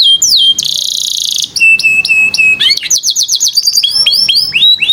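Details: Canary song played to coax young, quiet canaries into singing, with long rich phrases: rapid repeated notes, a harsh buzzy trill, steady whistled tones, then fast rolling chirp series and sweeping whistles.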